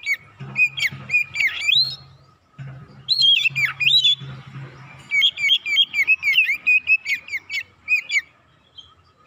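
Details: Oriental magpie-robin giving a quick, insistent lure song with varied material to provoke birds: swooping whistles and a long run of rapid repeated notes, accompanied by a steady low hum.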